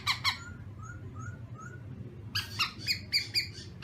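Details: Caged black-throated laughingthrush singing in the morning for voice training: two harsh, buzzy harmonic notes, then three soft short whistles, then a rapid run of loud buzzy notes at the end.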